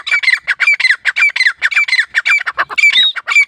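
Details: Grey francolin (teetar) calling for hunters: a fast, harsh run of squawking notes repeated nearly twice a second, each with a bright ringing edge, unbroken for the whole stretch.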